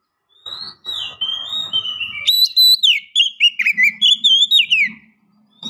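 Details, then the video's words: The call of a female oriental magpie-robin luring a male. Soft whistles over a low rumbling noise build into loud, rapidly repeated high whistled phrases with sharp up-and-down slides, about four a second. "PANCINGAN KACER BETINA MEMANGGIL JANTAN"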